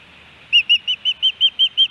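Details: Osprey at a nest in Hellgate Canyon, Missoula, Montana, on July 13, 2018, during fish deliveries; eight ringing whistled chirps in a quick, regular series, about six per second, over a quiet background.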